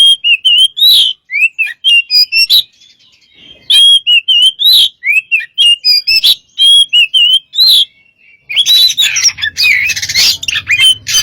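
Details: An Oriental magpie-robin, called kacer, sings as a lure with a run of quick repeated whistled figures and sharp upslurs. A brief quiet spell follows, then a burst of dense, noisy chattering closes the passage.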